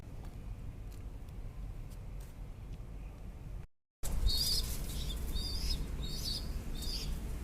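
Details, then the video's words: Baby pigeon chicks give thin, high squeaky peeps in short repeated bursts over a low rumble of background noise, after a brief silent break. "Baby Pigeon Chicks Sound"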